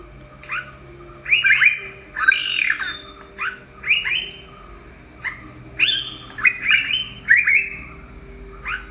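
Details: Yellow-browed bulbul in Sri Lanka gives bright, slurred chirps and short whistled notes, roughly one or two a second, over a steady high insect hiss.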